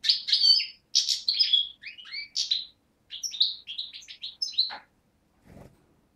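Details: 2011 young goldfinch, subspecies parva, Beni Snassen near the Morocco–Algeria frontier, recorded 8 January 2012: clipped phrases of bright chirps and slurred whistles, ending with a downward note and a faint knock.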